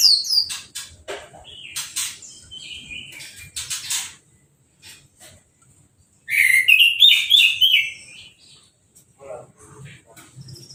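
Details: Caged orange-headed thrush after its moult, just bathed with a hose spray and sitting uncovered: bursts of high chattering, twittering notes, a pause, then a loud rising-and-falling warbled phrase followed by softer twitters.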